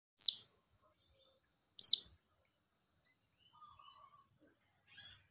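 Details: Mountain white-eye calling to other white-eyes: two loud, buzzy, descending high chirps about one and a half seconds apart, then a fainter chirp near the end; otherwise quiet.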